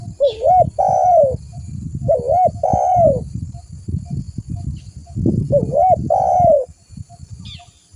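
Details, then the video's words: Spotted dove lure recording: three repeated phrases, each a short arched coo followed by a long drawn coo, spaced about two seconds apart over low rumbling noise. "Suara burung tekukur gacor buat Pikatan"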